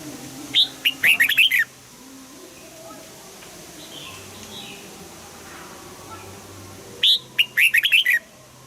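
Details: Red-whiskered bulbul singing a morning song in the double-note, old-forest style: two bursts of bright, warbled notes about six seconds apart. Each burst is a rising whistle followed by quick chattering syllables, over a low background hum.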